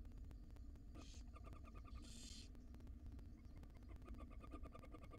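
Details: Female barn owl in a wild nest box gently feeding her small chicks; one faint and one loud rasping hiss burst near the start, then soft rapid ticking and twittering notes over a constant low electrical hum.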